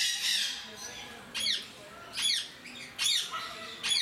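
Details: A captive Timneh grey parrot at Mysore Zoo gives harsh, raspy squawks in four bursts, roughly one a second, each with a thin whistled edge, over a steady hiss of background noise.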